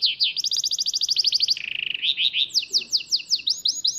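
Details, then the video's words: Shami-style song of a goldfinch-canary hybrid (bandook): rapid high repeated notes, then a low buzzing roll, followed by a series of loud sweeping, downward-slurred chirps repeated about twice a second. "تغريد بندوك لغة شاميه"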